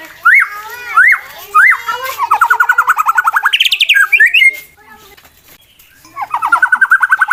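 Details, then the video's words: White-rumped shama contest bird singing to goad rivals into fighting: three sharp upslurred whistles, a long rapid trill, rising phrases, a silence, then another fast trill. "MURAI BATU LOMBA NGAJAK LAWAN TARUNG, EFEKTIF MANCING EMOSI TARUNG MURAI LAIN"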